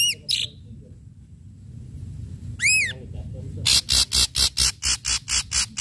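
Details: Ashy drongo in lively song, sharp strikes for luring: arched whistles and a brief chatter, then a steady run of about nine loud broadband snaps repeated roughly every quarter second.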